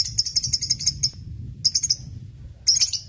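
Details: Lovebird ngekek lure: a second of fast, high, shrill rattling, a pause, then two more short chattering bursts over a low background hum.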